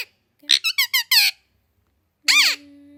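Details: Multilingual pet parrot, said to speak Hindi, English, Urdu, Kannada, Malayalam and Telugu, utters four quick repeated high syllables and a longer one, then a single arching shriek followed by a steady held tone.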